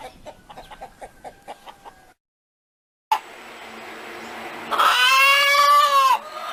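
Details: Chicken clucking: a quick series of short rhythmic clucks, a brief silence, then a rising background hiss and a loud, drawn-out harmonic squawk that falls slightly at the end.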